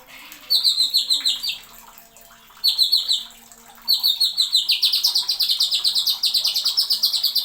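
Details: Greater green leafbird singing sharp, high, bright chirps in fast runs of downward-slurred notes, several bursts broken by short pauses, ending in a long rapid rattling series.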